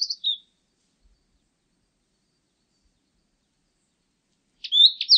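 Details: Blue-and-white Flycatcher giving a brief high two-part whistle, then silence, then a fast buzzy, scratchy flourish of high notes near the end.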